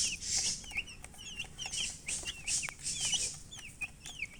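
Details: Group of baby chicks chirping: clear, high, down-sliding peeps repeated rapidly by several birds, with short bursts of rustling hiss between them.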